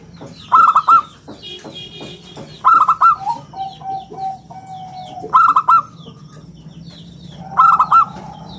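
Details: Local zebra dove singing steadily in the round, crystal-clear style used as a lure and model for training other birds: four phrases of rapid, rounded staccato coos, about every 2.5 seconds, each trailing into softer, lower drawn-out notes, over a faint hum.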